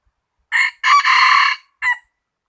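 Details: Rooster crowing: a hoarse, harsh crow in three parts, a short opening note, a long loud strained middle and a brief clipped ending, with nothing else heard.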